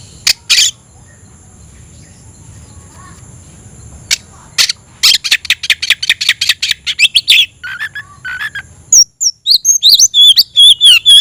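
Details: Oriental magpie-robin singing vigorously with tail spread, to raise emotion and call a rival to fight: a few harsh bursts, then a rapid run of scratchy notes and bright, sharp whistled phrases.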